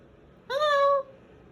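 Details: Captive pet Moluccan cockatoo protesting bedtime indoors, letting out one loud half-second screech, rich in harmonics and held level before cutting off abruptly, in a quiet room.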